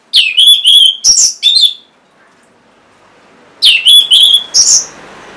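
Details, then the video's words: Orange-headed thrush song to stir silent caged birds: two phrases of loud, rapid whistled notes with rising slurs, separated by about one and a half seconds of quiet. "Untuk Pancingan Burung ANIS MERAH Bahan Macet Ataupun Malas Bunyi"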